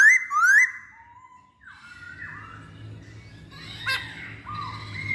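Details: Masked laughingthrush lure song: a loud burst of rising, slurred whistles opens, then softer whistled notes continue over a low background hum.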